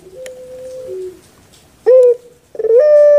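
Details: Puter pelung dove kept in Indonesia: a softer, more distant held coo with a downward step, followed by two loud close notes, the last a rising hoot that levels off.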